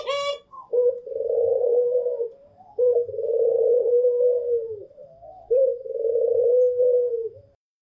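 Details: Barbary dove, white pelung and local doves, cooing: a brief high chirp, then three long steady low coos roughly every two and a half seconds, each opened by a short note, in an indoor-sounding space.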